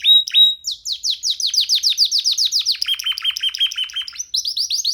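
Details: Canary youngster singing freely on a person's hand: a few whistles, then a steady train of sharp falling chirps, a lower rapid trill, and renewed high chirps, loud and clear.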